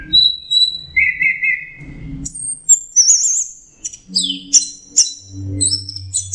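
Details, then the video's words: Orange-headed thrush singing for a songbird training recording: sustained whistles, a wavering warbled trill, then fast high chips and slurred notes, over a low droning hum. "Masteran Punglor Teler Gacor Full Isian Kombinasi Tembakan"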